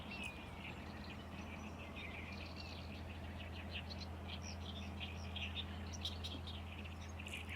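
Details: Great reed warbler in a Lake Biwa reed bed in May, one of several singing here and there: rapid strings of rasping, chattering notes run continuously, with a steady low hum underneath.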